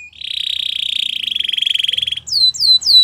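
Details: Song of a Belgian canary: a steady pulsed trill held for two seconds, followed by loud descending whistled notes.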